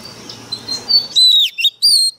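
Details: Oriental magpie-robin kept as a decoy bird and in fighting form, singing very sharply: a faint thin whistle at first, then loud clear falling whistles and short high notes in a rapid burst.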